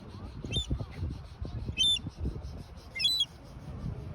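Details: A wandering baby seagull chirping as if looking for its mother: three sharp, high, thin chirps spaced about a second apart, each a quick descending stack of piercing notes, over low rumbling background noise.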